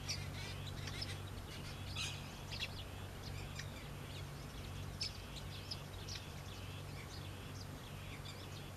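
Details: Run of sharp, high house sparrow chirps repeated at irregular intervals, with a faint continuous low hum behind.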